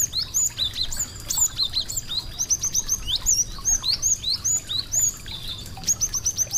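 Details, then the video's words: Small, pretty birds singing sweetly: bright, high chirps and quick upslurred whistles tumble out in rapid bursts of several notes per second, pausing briefly between phrases, with a faint steady hiss behind. "suara merdu burung kecil cantik"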